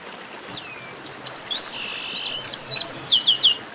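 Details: Chestnut-capped blackbird "baderna" group chorus meant to warm up kept birds: thin slurred whistles at first, then loud clipped notes and a fast run of sharp downslurred chips near the end.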